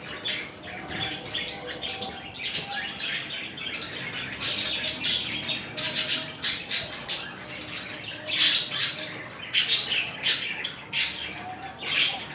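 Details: Budgerigars in a mating pair squawk and chatter. Sharp, grating bursts repeat irregularly over a busy, scratchy warble, with faint low whistles in the background.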